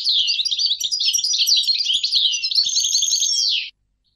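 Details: Goldfinch song, a rapid jumble of bright twittering and trilled notes that flows for over three seconds, then ends in a short descending buzzy slur before falling silent.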